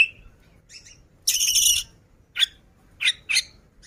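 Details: Oriental magpie-robin, called kacer, singing in lively 'ngobra' style: scattered high sharp notes, a loud buzzy chattering burst, then several short emphatic chips separated by brief pauses.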